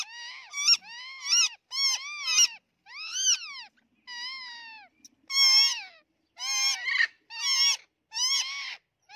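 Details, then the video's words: Rose-ringed parakeets, one green and one white, fighting: loud, harsh squawks with strong overtones, some rising then falling, in bursts of about half a second, roughly ten across nine seconds with short pauses, and no other sounds. "Green Ringneck Parrot Fighting with White Ringneck Parrot"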